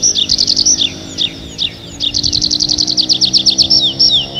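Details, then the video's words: Nightingale song at night in the forest: a loud run of quick, high repeated notes with downslurred whistles, rhythmic and rapid, over a soft low background hum. "How beautifully the nightingale sings"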